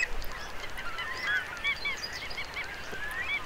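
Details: Massed Eurasian curlews, about 3,000 birds sheltering in Marquenterre wet meadows, Bay of Somme, high tide, 7 October 2021. A dense wash of overlapping short whistles and bubbling notes over steady low background noise.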